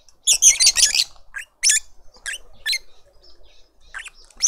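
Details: Lovebird family at a suburban garden feeder in Pretoria, South Africa, adults feeding a juvenile; loud, dense bursts of shrill, rasping chatter, a rapid run at first, then shorter squeaky calls repeated several times per second.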